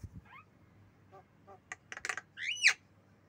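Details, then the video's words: Javan myna gives a jumble of harsh clicks, chattering notes and squeaky rising whistles, ending in a loud scratchy squeal. "Jalak kebo"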